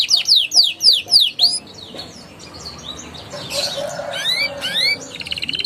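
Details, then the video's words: Canary song meant to coax young canaries into singing: a run of loud, evenly spaced descending chirps, then a quieter jumble of mixed notes with a few rising whistles and a closing buzzy trill. "PANCINGAN KENARI PAUD NGERIWIK NGEROLL GACOR EMOSI EFEKTIF UNTUK TERAPI KENARI MACET BUNYI"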